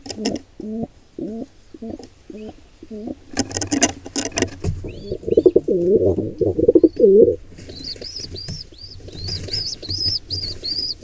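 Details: Wild pigeons, a nestling attacked by an intruder pair: rhythmic low throaty coos pulse at first, then louder wavering coos, followed by high thin squealing notes repeated in a row, with scuffling in between.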